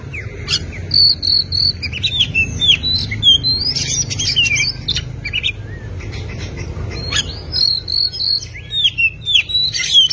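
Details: Oriental magpie-robin, a tutor song for cage birds: long flowing song of sweet whistled notes, slurs and buzzy chatter, repeating phrases, over a steady low hum.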